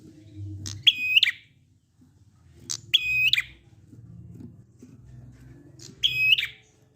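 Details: Prinia sound played to coax other prinias into singing: three phrases, each a sharp click followed by a flat high whistle ending in a fast drop, spaced two to three seconds apart, low background rumble.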